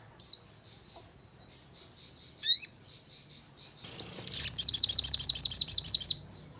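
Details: High-pitched crimson sunbird (sogon) song used as a lure for captive birds, aiming for 'nembak' bursts and 'ngleper' fluttering: a few isolated thin chirps and a quick rising squeak, then a tight rapid series of about twelve sharp notes.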